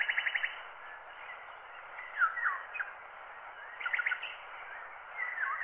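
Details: Wild bird song recorded by microphone and cut to a black wax cylinder at 90 rpm: a quick opening trill, then scattered downslurred whistles and chirps in bursts, all muffled and thin under constant surface hiss.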